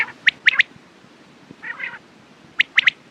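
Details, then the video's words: Quail calling with sharp three-note bursts, a pair of triplets separated by a brief harsh, buzzy rasp in the middle; clear calls over a quiet background hiss. "Quails sound best sounds use morning and night time mast awaz saaf awaz"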